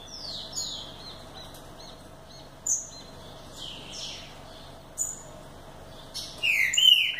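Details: Green-winged saltator singing, with scattered short high whistles and chirps spread across the recording, then a louder burst of descending whistled notes near the end.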